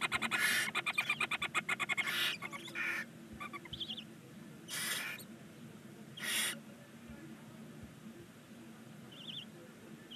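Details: Nine 19-day-old barn owl chicks in a nest box on a chimney in Ságvár, Hungary, give a rapid pulsed rasp, then separate drawn-out hissing snores every second or two, with quiet short squeaks between.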